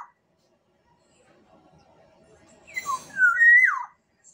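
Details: One full whistled phrase from a black-naped oriole of Sumbawa: short clipped introductory notes leading into a loud, mellow, downward-slurring whistle, preceded by near silence and faint murmur.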